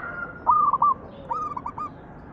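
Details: Zebra dove giving its manggung song, used as a lure to set other doves singing: two short phrases of soft, stepped cooing notes, the second ending in quick staccato beats, over a steady hiss of background noise.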